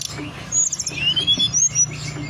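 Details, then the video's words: Mountain forktail song played as a lure to spur singing and breeding condition: a fast trill of high chirps, then a long thin rising whistle and several sharp whistled notes, with a faint low hum beneath. "pancingan suara tledekan gunung"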